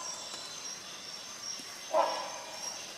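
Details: Rhinoceros hornbill giving a single loud nasal honk midway, set against a steady shrill insect hum.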